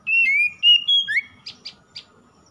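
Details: Oriental magpie-robin lure song recorded as 'morning dew' for stressed birds: loud, pure whistled notes held steady then slurring upward, followed by three short buzzy chips.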